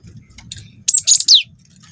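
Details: Brief phrase from a young cinereous tit used to provoke other birds to sing: three loud high whistled notes, the last sliding sharply downward, with a faint low hum behind.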